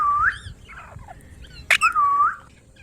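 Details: Ringneck parrot whistling: two drawn-out, dipping whistles separated by a soft squeak and a brief sharp click.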